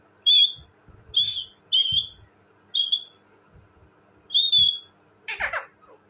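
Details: Parrot repeating a high, pure whistled note about once a second, five times in all, with the last call a rougher, noisy squawk.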